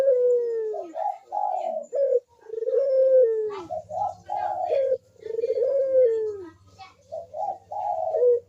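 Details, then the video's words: Barbary dove cooing steadily in manggung style, used as a lure for quiet doves: three 'kuk deruk' phrases in a row, each a sliding, drawn-out coo followed by short, raspy notes. A low hum runs underneath. "KUK DERUK BURUNG PUTER GACOR MANGGUNG"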